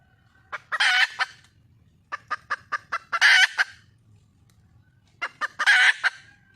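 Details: Red junglefowl hen, wild, calling for a mate: three loud rasping squawks, each followed by a short string of sharp clucks, with a low background rumble between them.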